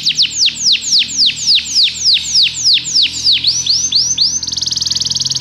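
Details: Belgian canary training song: a run of loud, clear descending whistles at an even pace, shortening into brief notes and finishing with a very rapid fine trill.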